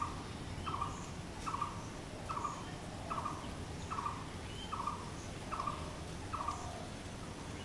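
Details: Blue-throated barbet calling: a steady series of short, blocky mid-pitched notes, each repeated roughly every 0.8 seconds, over a low background rumble.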